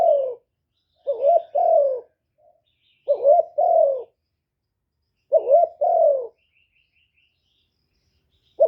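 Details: Spotted dove decoy calling to stir captive doves into cooing: soft hooting phrases, a quick double note then a longer falling coo, repeated every two seconds or so with silent gaps, faint high chirps of another bird near the end.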